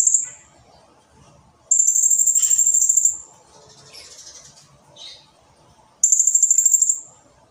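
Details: Actively singing blue-crowned hanging parrot giving long, dense bursts: three piercing, high-pitched rapid trills, the middle one nearly one and a half seconds, interspersed with quieter raspy chirps over a faint low hum.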